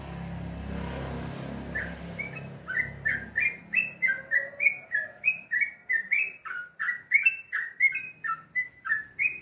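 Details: Morning bulbul song: following a muffled low rumble, a yellow-vented bulbul starts a lively, unbroken series of short gurgling whistled notes, rising and falling, roughly three per second.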